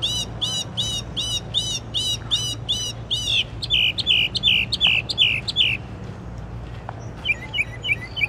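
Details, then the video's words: Night-singing songbird of unknown species, showing a wide repertoire: fast series of crisp chirps repeated about three times a second, a change to a lower rolling phrase series, a pause, then softer quick twitters over a faint hum. "Songbird - amazing repertoire"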